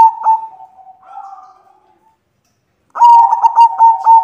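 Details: White female zebra dove calling to the male: a pulsing coo that trails into a softer wavering note, a silence, then a loud rapid rolling trill of cooing pulses.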